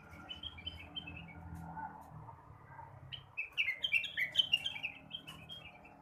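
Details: Blue-winged leafbird singing in the morning, used to stimulate other birds: a quiet opening of scattered high notes, then a lively run of sharp, bright chirps and short slurred whistles delivered rapidly over a low background rumble.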